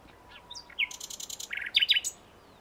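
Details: Common nightingale phrase: soft high whistles lead into a quick train of clear repeated pulses, then a burst of lower liquid trilled notes and a final high sharp note.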